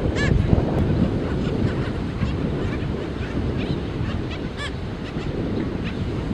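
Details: In a black skimmer colony with chicks, two clear barking yelps, one early and one later, stand out among faint scattered calls, with wind and wave rumble throughout.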